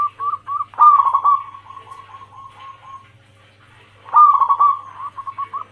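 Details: A female zebra dove calls for the male in rapid rolling coos. Two louder bursts each trail into a long, even run of softer notes, with a quiet pause between and a steady low hum behind.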